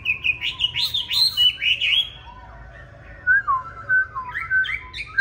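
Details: Green-bean-eye Chinese hwamei performing fighting song, used to teach other hwamei a soft, non-harsh song: rapid rich high warbles, a quiet gap, then a measured sequence of clear whistled notes.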